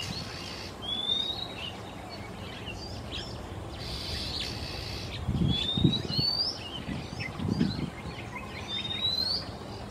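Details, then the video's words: Male Oriental Magpie-robin in Singapore giving afternoon song between perches: a few clear up-slurred whistles and soft chatter, with dull low thumps partway through and steady background noise. "Sweet singing Male MAGPIE-ROBIN, Singapore"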